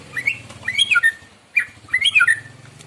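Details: Morning song of a white-rumped shama, used as a lure for other birds: two rich, tumbling phrases of warbled, rising-and-falling whistles over a low background hum.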